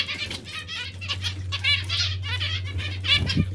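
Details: Caged zebra finches or Bengalese finches at bath time. Rapid, steady nasal trumpet-like notes follow one another closely, mixed with wet fluttering and a low droning hum.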